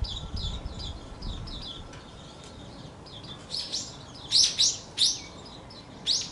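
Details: Agitated wild Japanese white-eye after losing a fierce fight with a paired male, February 2024; scattered thin high chirps, then several louder sharp descending notes near the end, against low background rumble.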